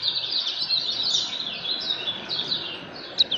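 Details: Lemon-bellied white-eye, kecial kuning, singing in the continuous ngejos style: a busy stream of thin, high, twittering chirps that run on with little pause over soft background hiss.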